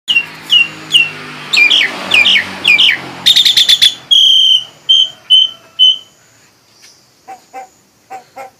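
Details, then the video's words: Nias hill myna song: a rapid run of clear, sharply falling whistles, then bursts of bright harmonic notes and a row of short steady whistled tones, ending in soft lower clucking notes. "Kicau jalak nias"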